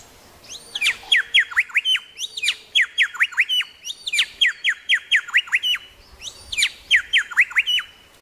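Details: Grey shrike-thrush, Tasmania, calling continuously: four consecutive ringing phrases, each a quick rising note followed by a rapid string of sharply downswept notes, repeated with hardly a pause.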